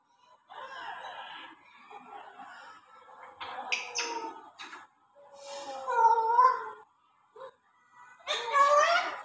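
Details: African grey parrot talking indoors: a few separate bursts of harmonic, voice-like mimicry with rising and falling tones, loudest near the end, separated by short silences.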